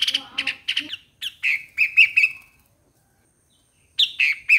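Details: Streak-eared Bulbul voice: clipped, sharp chirps repeated in quick clusters, a longer slurred note, then a pause before another short run of chirps.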